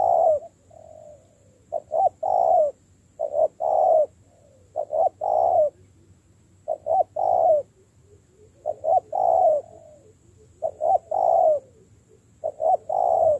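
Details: Spotted dove under training as a decoy, cooing steadily: phrases of two short notes and a long coo, repeated roughly every one and a half seconds, with occasional soft drawn-out coos between them.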